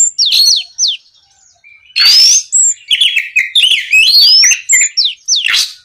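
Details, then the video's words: Lively Oriental magpie-robin song used to provoke a rival bird to answer and sing: rapid sweet whistles, rising slurred notes and scratchy buzzes in dense varied phrases, with a brief pause near the first second. "SUARA BURUNG KACER GACOR NGEPLONG MEMANCING KACER LAWAN AGAR LEKAS BUNYI NYAUT & GACOR"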